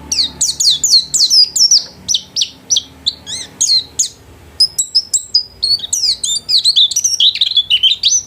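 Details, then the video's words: Home-kept white-eye in lively continuous song: fast strings of thin, high chirps and downward-sweeping whistles, a short pause, then a rapid twittering run of rising and falling notes. "Burung pleci gacor kelas rumahan"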